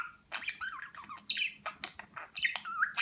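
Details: Budgerigar in Rize, Turkey, 2020, a talking pet that repeats Turkish words; rapid warbling chatter with gliding whistled notes and squeaky clicks, continuous across the clip.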